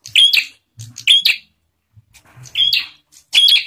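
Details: Bar-winged prinia in full song, played to provoke other prinias into singing: a few loud, piercing chirp bursts of paired notes separated by a pause of under a second, faint low rumbles between them.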